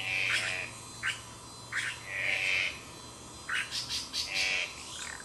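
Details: Magpie tanager (Cissops leveriana), recorded 12 July 2008, giving rasping buzzy calls mixed with sharp clipped notes, a quick cluster of chattering ticks near the end, with a faint low hum behind.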